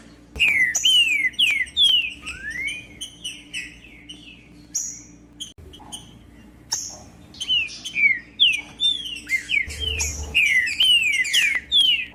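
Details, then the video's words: Captive green-winged saltator (trinca-ferro) song used to stir a quiet bird into singing before tournaments: phrases of clear descending whistled slurs repeated quickly, a pause with scattered chips, then another run of loud whistles; faint constant hum. "MELHOR VÍDEO PARA ESQUENTAR TRINCA FERRO COM TRINCA FERRO CANTANDO"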